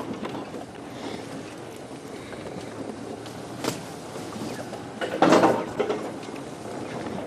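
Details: Steady vehicle rumble on a sunrise safari drive, with a sharp clatter like a door or lid near the fifth second and a few softer knocks, but no animal calls.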